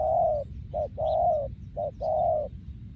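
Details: Breeding male spotted dove, 2023, in the โยนคูอ่าง song style. Loud, mellow coos alternate long and short: long, short, long, short, long. There is faint low rumble underneath.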